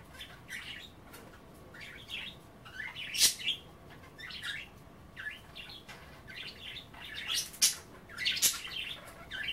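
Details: Pet budgerigars chattering steadily while nibbling kale in bath water; lively, jumbled warbling phrases with repeated louder bursts every second or so and occasional sharp clicks.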